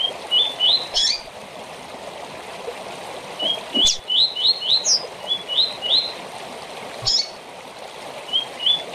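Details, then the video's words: Rusty-collared seedeater repeating its short tournament song about every three seconds, each phrase a quick series of rising whistled notes, with sharp clicks between phrases and a steady watery trickle underneath. "Coleiro ou Papa-capim com Canto Curto Para TORNEIO"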